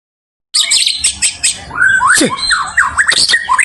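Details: White-rumped shama song used as a lure to provoke a rival bird: after a brief silence, a dense, varied run of sharp high chirps, rapid trills and clear whistled notes sweeping up and down, with quick buzzy phrases toward the end.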